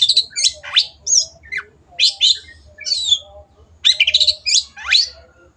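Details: Gacor long-tailed shrike song for training caged birds: loud, harsh bursts and rising and falling squeaky notes in quick clusters, separated by brief gaps, over a faint low hum.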